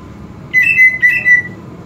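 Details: Whistled phrase from a greater green leafbird, a bird kept to build excitement and breeding drive: four clear, steady, mid-pitched notes in two pairs, the last note drawn out, with a soft low hum behind.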